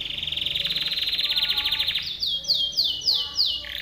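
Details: Timbrado canary singing for training: a long loud rapid trill lasting two seconds, followed by a series of descending swept notes repeated roughly three times a second.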